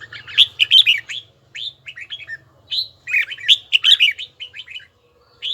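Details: Red-whiskered bulbul training its voice in a bell-like tone, singing quick clusters of bright whistled notes that rise and fall, grouped in two bursts a couple of seconds apart, with a faint low hum underneath.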